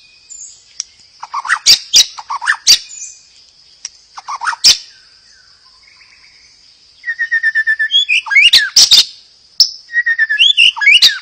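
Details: Song of a white-rumped shama meant to trigger other birds to sing: scattered sharp notes and short whistles at first, then fast rattling trills and sweeping whistles in the second half over a steady high hiss.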